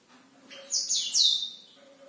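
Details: Short bright phrase from a Black-throated canary at night, two quick high whistled bursts with descending slurs rising out of near silence.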